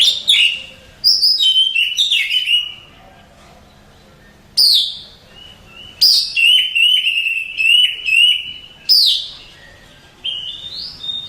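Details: Song of an Oriental magpie-robin that won contests: loud, sweet whistled phrases, often starting with a sharp high note and falling into a sustained tone, separated by gaps of one to two seconds.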